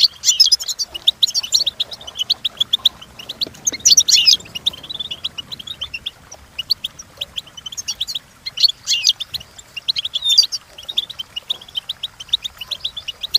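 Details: Goldfinch song used for training: rapid, high twittering phrases of short chirps and trills, dense bursts around 0–4.5 s and 8–11 s with quieter scattered notes between, no other clear sounds.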